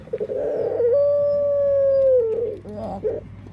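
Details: Dove whose singing sounds very different from others: a throbbing coo opens into a drawn-out, almost howl-like steady tone of about one and a half seconds, dropping at the close, then soft burbles.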